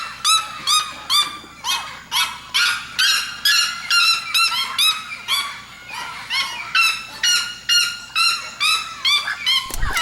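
Red-legged Seriema giving loud, harsh yelping screams, about two each second in a steady, ringing series with overlapping voices and no other clear sounds.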